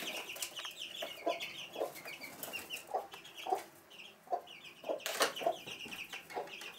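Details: Hen with her chicks indoors in a room of a house at Sandoval de la Reina, April 2016: low, short clucks spaced irregularly about every half second, while the chicks keep up high, thin peeping throughout.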